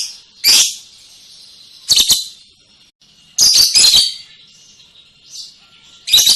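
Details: Lovebird ngekek trill: loud harsh rasping bursts every couple of seconds over a constant high buzzy trill.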